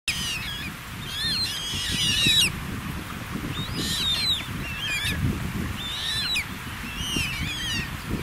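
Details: Eurasian coot chicks being fed on the Altrhein at Eich give thin, high, wavering peeps in quick bursts every second or so, over a steady low rumble of wind and water.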